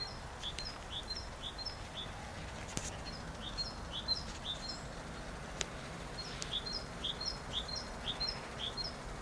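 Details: Great tit singing: high two-part notes repeated in quick even phrases, about two per second, with a pause mid-clip before the pattern resumes, over soft steady background noise.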